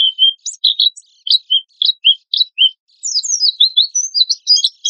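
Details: Oriental white-eye in lively form giving a 'tembakan kasar' lure song: widely spaced short whistles and chirps at first, then a busier high twittering passage.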